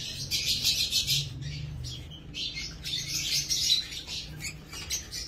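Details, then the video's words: Several lovebirds chatter in shrill, high chirps and squeaks, almost continuous overlapping bursts, with a low hum underneath. "Lovebird pakhi|লাভবার্ডস পাখি"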